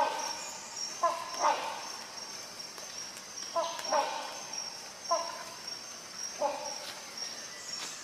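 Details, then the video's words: Rhinoceros hornbill giving loud, nasal honks, often in quick pairs, every second or two, with a steady high insect whine underneath. "Rhinoceros Hornbill call"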